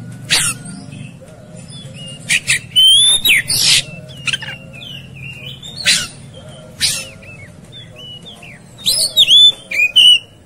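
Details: Oriental magpie-robin, fighting and agitated: grating rasps alternating with ringing whistles and quick twittered phrases, with a quiet gap mid-clip before a loud burst of whistles and rasps.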